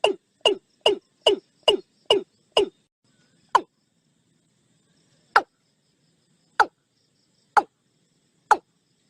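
Watercock giving hollow, knocking notes: a quick run of seven about every half second, then single notes spaced a second or more apart. The background is quiet.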